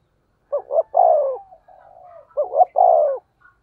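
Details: Spotted dove giving a 'thổ sấm' style call used as a lure to excite other doves. Two deep coo phrases, each a quick double note followed by a drawn-out descending hoot, separated by a faint wavering coo.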